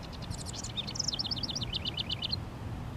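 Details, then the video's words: Territorial song of a male house wren near a honeysuckle vine on a fence, sunny 19 °C Mother's Day: a fast, bubbly cascade of high twittering notes, then a quick repeated series of dipping trills, over faint low hum. "House Wren Singing, Thus Marking Its Territory Too"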